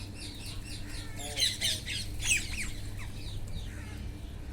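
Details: Wild parrots feeding, giving scattered harsh squawks and short screechy calls in bursts around the middle, over a steady low hum and a rustling background.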